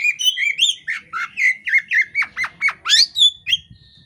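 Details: Oriental magpie-robin female (kacer poci) in breeding condition, tail spread, giving a fast, harsh string of squawky, slurred notes about three per second, ending with a few sharp upward-swept whistles and a thin held tone.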